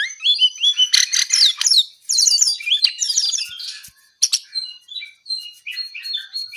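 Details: Brown-eared bulbul in energetic nonstop song: a rapid, busy run of varied sharp whistles, chirps and short squawky notes, densely packed with only brief pauses and little background noise.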